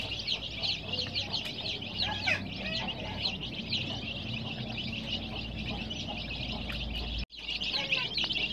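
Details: Many dyed baby chicks giving a continuous, busy stream of high peeps and squeaks, broken by a short moment of silence near the end before the chirping resumes.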